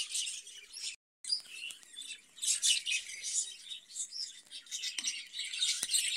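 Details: Budgerigars in a cage twitter and chirp busily in high, scratchy notes, briefly cut off near the start, then resuming in lively, uneven bursts.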